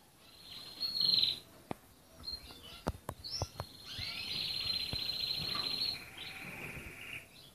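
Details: Red canary song with long sustained high trills and buzzy rolling phrases, broken by a few sharp clicks and taps in the background.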